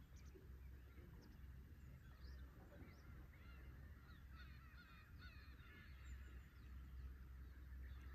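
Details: Black-tailed Gulls calling at Horozuki fishing port in Imabetsu, Aomori: a flock gives many overlapping mewing, down-slurred cries over a steady low rumble of waves throughout.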